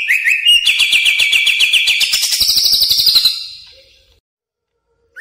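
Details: Greater green leafbird (cucak ijo) lure sound used for training caged birds: a fast trilled series of high whistled notes, stepping upward in pitch over about three seconds, then fading to silence.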